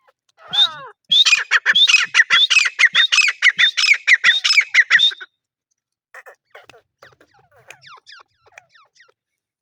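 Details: Grey francolin calling: a fast, loud series of harsh, ringing, repeated syllables with upward-curving notes lasts about four seconds, followed by softer, scattered chattering calls.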